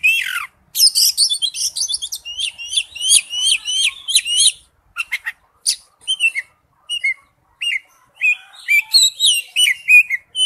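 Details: Oriental magpie-robin song on a lure recording: a rich run of varied sweet whistles, quick slurred notes and short chirps, mostly high-pitched, delivered in fast bursts separated by brief pauses.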